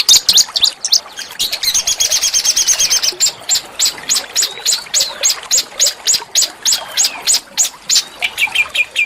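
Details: Small songbird master song for oriental magpie-robins and white-rumped shamas, harsh and rough yet melodious: a dense high trill, then steady sharp chips repeated several times a second.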